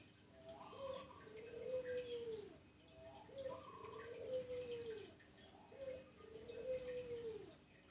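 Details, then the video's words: Actively singing local zebra dove repeats its cooing phrase three times, roughly every two and a half seconds: a few short soft notes leading into a long, smooth, downward-curving coo, with a faint background hum. "Burung perkutut lokal gacor"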